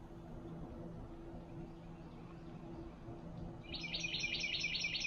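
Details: One of three Boat-tailed grackles calling to each other while feeding at a backyard feeder gives a quick, harsh burst of about six scratchy, rattling notes near the end, over a steady low mechanical hum.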